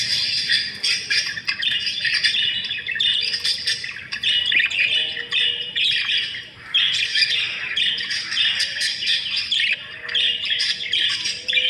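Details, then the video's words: Budgerigars giving a dense, continuous chatter of overlapping high squawks, chirps and warbling notes, swelling in bursts with brief lulls near two and six seconds; no other clear sounds. "Budgie sound"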